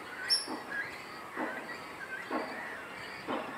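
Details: Several grown great cormorant fledglings at nests on Kaikondrahalli lake on 21 April 2021, refusing to fly, give harsh, rasping begging calls to parents nearby, about one a second, with a faint high whine in the background.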